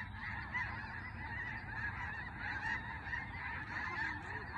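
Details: A flock of snow geese passes overhead, calling constantly with many overlapping honks that blend into a loud, uneven babble. A low background rumble runs underneath.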